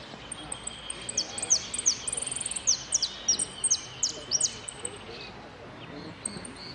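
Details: Saffron finch singing at a contest in Merlo on 3 December 2017, entered in the 'sin cierre' category: thin, high whistled notes and quick sliding chirps, with a fast trill-like burst in the middle, over faint background murmur.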